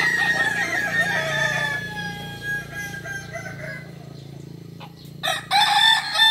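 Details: A Kukuak Balenggek rooster from Solok, West Sumatra, a breed known for crowing in 3 to 19 steps. A loud wavering crow lasts about two seconds and then trails off, followed by a quieter stretch and a sudden renewed burst.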